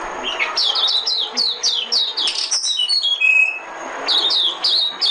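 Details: Decoy recording of a white-eye for luring birds into traps: quick series of high, downward-sweeping chirps, a few lower drawn-out whistles midway, then renewed twittering.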